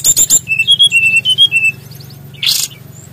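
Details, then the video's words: {'caption': 'Bali SRDC, a Brown-chested Jungle Flycatcher, sings briefly: quick high notes then a string of clear level whistles at changing pitches, followed by one harsh noisy burst.'} "SUARA BURUNG KECIL BERSUARA KERAS!! SRDC BALI GACOR NGEROLL MEWAH FULL ISIAN"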